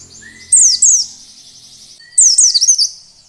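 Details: Oriental white-eye lure song in the wild ngalas style, played to prompt other white-eyes to open their beaks and sing: two high, tumbling bursts of slurred descending notes, with a thin steady tone faint underneath.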